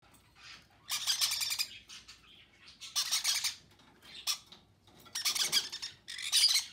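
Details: Conure chicks being fed by their parents, giving harsh, buzzy begging squawks in dense bursts of about a second, repeated four times with short quiet gaps between.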